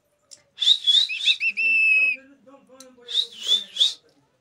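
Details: Household parrot calling with rough, wavering screeches, a drawn-out flat whistle, then more scratchy calls, while a person speaks softly in Hindi in the background.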